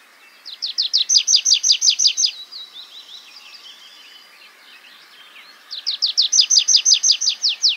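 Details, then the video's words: Tree pipit (Anthus trivialis) singing while perched on the ground, giving shorter strophes than in flight: a fast run of a dozen loud, downward-sweeping trills, then softer twittering, and the bright trilled phrase again. "Świergotek drzewny (Anthus trivia lis / tree pipit)"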